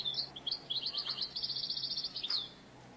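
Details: A European goldfinch, the target of clap-net trapping, gives a continuous fast twitter of high, tinkling notes for nearly three seconds; low background hum throughout.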